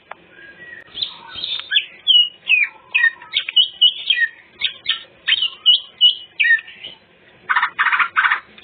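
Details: Lure song of a greater green leafbird: a varied run of chattering notes and slurred whistles at a steady pace, closing with a few harsh, broad rasping bursts.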